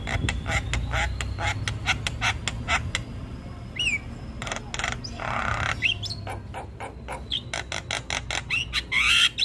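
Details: Javan myna, a 'gacor' bird chattering without pause, gives a dense run of rasping clicks and harsh notes broken by short rising whistles, over a low rumbling background.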